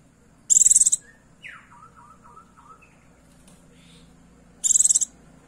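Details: Calling to lure a male, a female Oriental white-eye gives two sharp, high chattering bursts. Between them comes a softer, lower descending warbled phrase.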